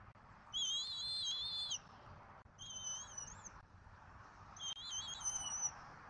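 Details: Bald eagle family at dinner on a Southwest Florida nest, 14 February 2024, picked up by a nest camera. Three drawn-out, wavering, whistled squeals, the first loudest and longest, over a constant rushing background.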